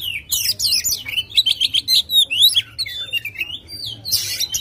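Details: Oriental magpie-robin singing aggressively, tail opened, as a lure to start a lazy bird singing: bright rising whistles repeated in quick succession, scratchy flourishes and a loud high burst at the end.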